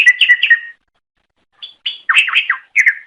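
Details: Greater green leafbird song used to lure others of its kind: a short burst of bright warbled chirps, a second of silence, then rapid jumbled twittering phrases with slurred up-and-down notes, no other sounds.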